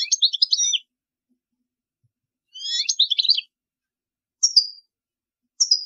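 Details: Song of a European goldfinch, played to teach young birds: two fast twittering phrases of jumbled high chirps, then two brief sharp high call notes spaced about a second apart, in a quiet setting.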